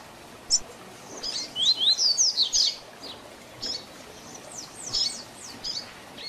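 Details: Distinctive Tui Tui Zel Zel song of a double-collared seedeater, meant for training young birds; a burst of rapid high slurred whistles, then quieter repeated downstrokes at a steady clip.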